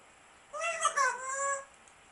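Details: African grey parrot kept as a pet indoors, giving one drawn-out, slightly wavering whistled call lasting about a second, with faint room noise.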